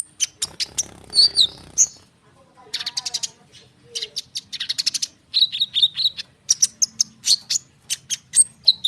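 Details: Konin bird in full, dense rolling song, played as a lure to get other birds answering: rapid runs of high chirps and whistled trills with a short buzzy break near the middle, then fast repeated notes.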